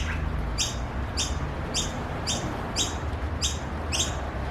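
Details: Australian noisy miner chicks give harsh, high, rasping begging calls for food, about eight in quick succession at an even pace, over a low steady rumble.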